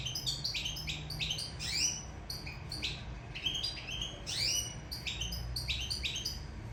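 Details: Sicilian European goldfinch singing in love: a long run of sweeping, upward-slurred chirps and liquid twitters repeated in quick sequence, with a low background hum.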